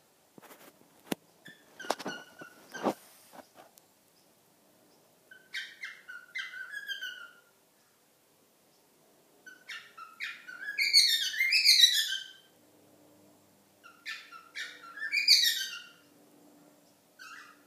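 A cockatiel gives bursts of squeaky, warbling chirps and whistles, with a few clicks at first.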